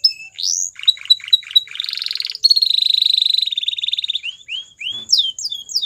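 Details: Singing white Belgian canary, a pet bird, giving short upslurred notes and a few clipped chips, then a dense buzzy trill and a long rattling roll, ending in rising swept whistles.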